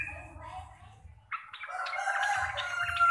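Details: Sooty-headed bulbul of the local Javanese type, with a rapid 'ropel' style song described as bassy, clear and loud. After a low hum, a loud burst of bubbly whistled notes starts and swells, running on over a steady low drone.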